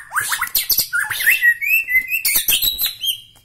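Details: White-rumped shama, Medan Bahorok, pouring out a quick sequence of chattering notes leading into long clear whistles that climb, with scratchy overtones throughout.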